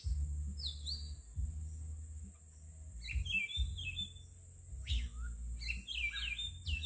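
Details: Soothing bird chirping in bursts of quick high twittering notes separated by short pauses, over a steady high hiss and a strong low rumbling hum.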